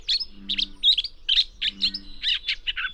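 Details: Gray catbird, uncommon here, singing in dense willows and alders of a restored Northern California meadow; an exceptional mimic. Rapid, varied string of squeaky, warbled notes and chips with no pauses, over a low steady hum.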